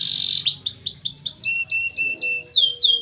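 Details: A champion canary sings a training song: a fast run of rising upswept notes, about four a second, then clipped bright chips over a steady high trill.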